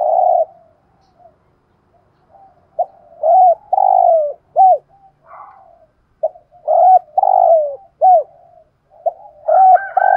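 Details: Decoy spotted dove with a 'giọng thổ' voice style, cooing and calling: deep, soft coo phrases of short hooked notes and longer drawn-out falling coos, repeated in groups with brief pauses and faint quiet murmurs between.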